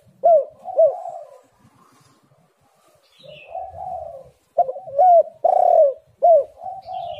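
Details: Spotted dove used as a calling lure for lazy birds: paired hooked coos, a quiet stretch, then soft cooing building into a run of loud, bent coo notes.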